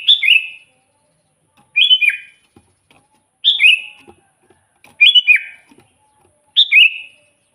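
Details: Sooty-headed bulbul in full song, used as a lure for trapping wild bulbuls: five bright whistled phrases about every one and a half seconds, each opening high and sliding down into a lower, slurred, bubbly tail.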